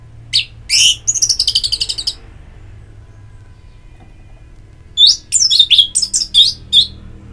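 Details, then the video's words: Orange-headed thrush singing, from therapy audio played to encourage a bird to sing: a high chirp, then a fast trill of about ten thin notes; after a pause, a cluster of sharp, varied whistles and chips. "Pagi Siang Sore Terapi Ngeplong Untuk ANIS MERAH Malam ya Tidur Merangsang untuk Bunyi"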